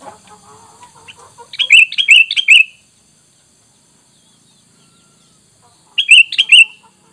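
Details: Sooty-headed bulbul sound used as a lure to draw wild bulbuls into answering: two bursts of four bubbly, liquid whistled notes dipping and rising. The bursts are about four seconds apart with silence between, and faint chatter comes first.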